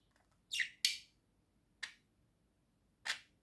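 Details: Caged pet budgerigar giving four harsh, noisy squawks, the first two close together and loudest, the rest single and spaced about a second apart, in a quiet room.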